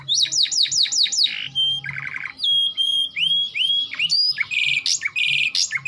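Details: Canary song opening with a quick series of descending chirps, then clear level whistles, downward-curving slurred notes and short rattling bursts, all loud and high-pitched over a quiet low hum.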